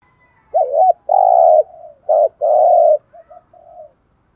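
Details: Spotted dove cooing, played to stimulate decoy birds: two loud phrases, each a short wavering note then a long steady low coo, followed by softer trailing coos.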